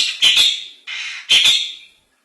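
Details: Long-tailed shrike giving isian song: two short harsh bursts with thin whistled notes in them, separated by a raspy buzzy phrase, then silence.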